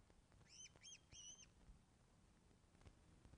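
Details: At a Loch of the Lowes osprey nest, webcam, 24 August 2012 at 14.10 during a fish delivery: three quick piping whistles, the last longer and drawn out, against steady low noise.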